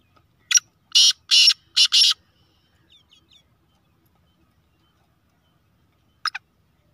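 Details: Black francolin, described as a fast-calling 'speeder' of the Sheedi Gangas nasal line, gives its harsh grating call: one short note, then four loud rasping bursts within about a second and a half, and another brief note after a pause, in quiet surroundings.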